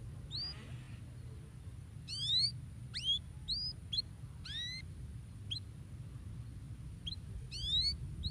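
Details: Canary singing, used to stimulate other birds to sing: sparse, clear whistled notes sweeping upward, some in quick stacked bursts, spaced irregularly over a steady low hum.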